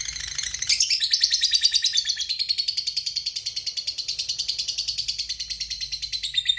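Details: Lovebird of the fighter type giving a long 'ngekek' trill, a lure call meant to make silent lovebirds answer: rapid, high-pitched, harsh chattering notes repeated several times a second without a break for over six seconds, over a faint low hum.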